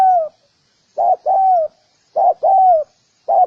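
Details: Spotted dove giving three soft cooing phrases, each a clipped opening note followed by a drawn-out, slightly slurred coo that fades downward; clean, quiet recording.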